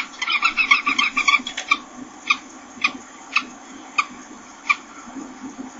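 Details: Common kestrels from Helmond give a quick burst of sharp, ringing notes, then slower single calls spaced about half a second to a second apart, over a steady low hum.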